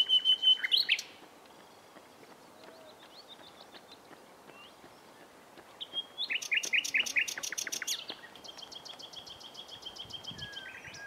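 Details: Common nightingale in spring scrubland, 27 April 2021, one bird sitting in the bushes; opening whistled phrase, a quiet pause, then a fast run of repeated chirps and a rapid buzzing trill ending in a pure whistle.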